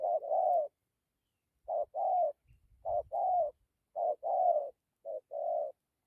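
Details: Spotted dove with a strong coo, singing dặm kèm gù: four low hooted phrases, each a clipped note and a drawn-out mellow coo, separated by pauses of about a second.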